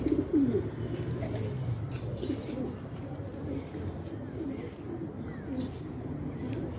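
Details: Low, rolling coos from fighting pigeons kept in a Khanabad village, Afghanistan, loudest at the start, then softer repeated murmurs among faint rustles.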